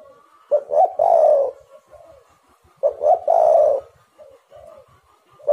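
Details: Lure recording of a spotted dove cooing: a pair of short notes leading into a long husky coo, repeated twice about two and a half seconds apart, with gentle murmuring coos in between and a faint steady hum.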